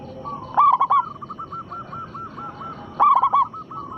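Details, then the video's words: Zebra dove, local perkutut, singing as a lure for other doves: a loud three-note coo burst, a trailing series of soft repeated coos, then another loud burst, with hiss throughout. "perkutut lokal gacor suara besar pancingan sekali putar pasti langsung nyaut"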